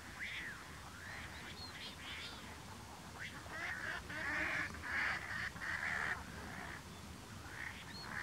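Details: Adult Cocoi heron in Chubut, Patagonia, Argentina, in June 2022, giving hoarse, arching squawks, then a harsh, grating run of calls lasting about two seconds, over a steady low background rumble.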